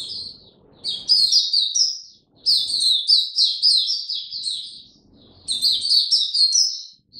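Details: Caged Oriental white-eye, slow easy song, 2 May 2022: three loud bursts of high, rapid warbling separated by short gaps, each a tumbling run of thin chirps, with faint low noise between.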